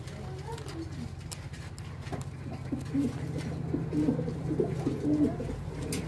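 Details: Archangel pigeon, a rare fancy breed kept in Bangladesh, giving low, rolling coos that grow louder toward the end, repeated in quick pulses over a steady rumble of background hum and clatter.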